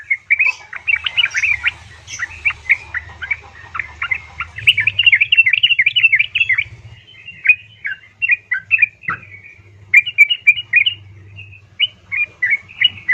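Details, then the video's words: A female yellow-vented bulbul calls to a male in a lure recording meant to stir quiet bulbuls into song. Dense, chattering runs of liquid, warbling notes give way to sparser, spaced chirps, over a faint low hum. "Pancingan Trucukan Betina Memanggil Jantan"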